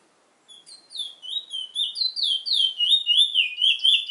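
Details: Trinidad bullfinch singing a rapid run of sweet whistled slurs, starting softly then growing louder, notes repeating almost four per second in a rolling, even rhythm.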